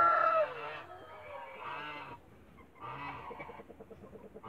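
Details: Toulouse goose mother guarding her eggs in a backyard: a strong nasal honk opens, then quieter broken honks and a quick stuttering run of soft pulses.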